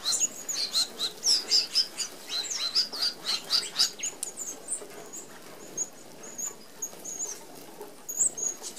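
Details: Red-browed finch flock feeding at an open aviary feeder, Australia: a rapid string of thin, high-pitched seee calls, several a second at first, then sparser notes, over light wing flutter.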